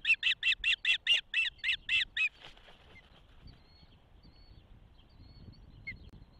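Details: Osprey calling at a nest in Charlo, Montana, during the first hatching on 12 June 2024: about ten evenly spaced, piercing chirps over two seconds, then near quiet with a faint late note; recorded by a nest camera.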